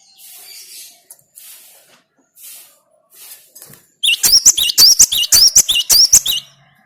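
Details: Cinereous tit (gelatik batu) singing: after several seconds of soft hissy rustling, a bright burst of high, piercing whistled notes in quick succession, each note a short twisted flick, around ten in a row.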